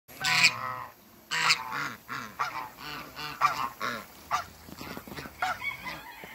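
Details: African geese, a couple meeting each other after being moved with other waterbirds on a farm, giving loud harsh honks, several overlapping in quick bursts of two or three, repeated roughly every half second to second.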